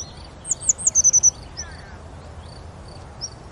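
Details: Grey wagtail filmed at Oukaimeden, Marrakech, Morocco, giving one rapid run of about seven piercing high notes near the start, followed by scattered thin chirps of other birds.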